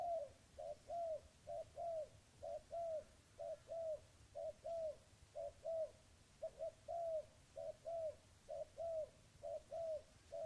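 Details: A spotted dove coos steadily, repeating low, soft, hollow notes in paired phrases about once a second, each note slightly arched. Constant low rumble of background noise.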